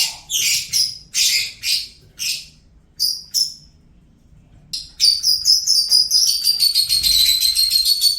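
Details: Pet lovebird singing: several short harsh chirps in a loose series, a pause, then a sustained run of quick, grating, high twittering notes to the end.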